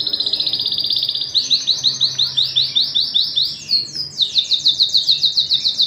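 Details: Domestic canary, a male and female pair, with chicks being fed in the nest. Loud, fast rolling trills of repeated high notes change pitch and pace several times, with a brief pause before a final rapid rolling series.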